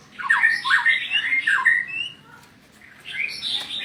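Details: White-rumped shama song for training other birds: dense burst of varied whistles and harsh chattering notes, a brief pause, then another high scratchy phrase, recorded indoors.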